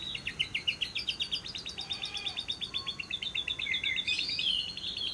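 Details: Lovebird ngekek, a long trill played as a lure to get lovebirds singing: an even, rapid high-pitched pulsing trill for about four seconds, ending in a burst of harsher chatter.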